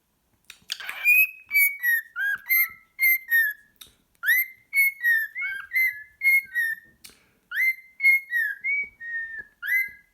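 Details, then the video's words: Cockatiel kept as a pet, its song coming before cuddling time with a sock: repeated fluting whistles, each note rich and slightly falling, grouped into phrases of four to six notes with short gaps between groups. "My cockatiel likes socks"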